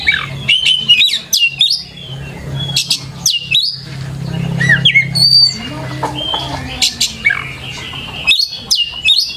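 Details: Repeated bursts of Oriental magpie-robin lure song, meant to make other birds answer: sharp chips and whistled phrases every second or so, with a longer warbling passage midway and a low hum.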